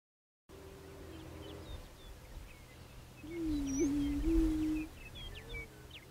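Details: Prairie chicken giving low, hollow moaning notes: a faint drawn-out hoot early on, then a louder, longer one with a brief hiccup in its middle. High chirps from small birds are scattered above, with a steady rural background hum.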